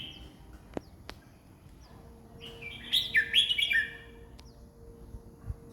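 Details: A single bright, bubbling warbled phrase from a red-whiskered bulbul singing 20 phrases a minute, lasting about a second. A couple of sharp clicks come before it and a steady faint hum runs underneath.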